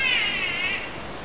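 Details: Catbird at Mary Cairncross Park, Queensland, giving one harsh, cat-like mew, a slightly falling nasal note under a second long, with faint background hiss.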